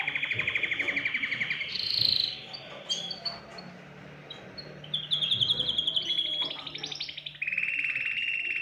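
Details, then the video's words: Canary song for prompting other birds into song: a rapid trill, scattered high chirps and varied short phrases, then a renewed steady rolling trill near the end. "تغريد كناري يحفّز الطيور على التغريد"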